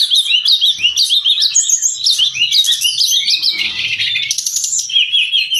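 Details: Brown-chested jungle flycatcher in lively, continuous song, used to train cage birds and to draw out other birds of its kind: dense high twittering with rapid rising and falling whistled notes, chattering trills and quick slurred phrases with no pauses.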